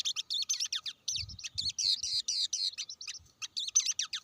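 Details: A blue-winged leafbird chatters fast with clipped, high chirps and buzzy slurred phrases, packed closely together, with a few faint low thuds.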